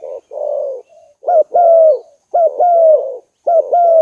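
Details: Spotted dove cooing used as a lure call: a rough, buzzy coo followed by clearer two-part phrases, a short note then a long, gently descending coo, repeated about every second.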